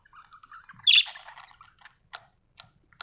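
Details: Happy budgie chatter: soft rapid twittering leads into one loud, raspy squawk-like chirp, followed by murmured warbling and three short clicky notes spaced about half a second apart.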